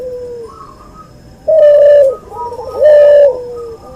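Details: Cuhu dove, a cross between a white albino puter and a puter pelung, kept for training other birds. It gives two loud, level, hollow coos about a second apart, separated by softer, lower murmuring coos.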